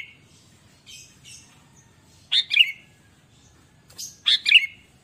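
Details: Sooty-headed bulbul singing vigorously, used as a lure to set other kept bulbuls singing. Soft high notes lead into a loud, bright double-chirp phrase that repeats about every two seconds.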